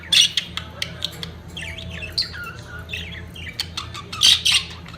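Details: Budgerigars during the peak of mating: clicky ticks and short squeaks, a run of bent warbled whistles mid-way, then two loud harsh squawks near the end, over a low hum.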